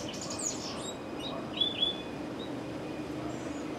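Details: Two Purple-throated Euphonias, believed to be females, fighting: a few brief, high, thin chirps, a pair of sharper notes near the middle, over a steady background hiss.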